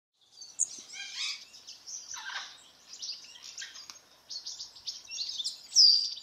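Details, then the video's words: White-browed woodswallows, a pair kept in a large open flight aviary while feeding on mealworms; busy high chattering and chirping notes, some stacked harsh calls, continuous with brief gaps. "White browed Woodswallows"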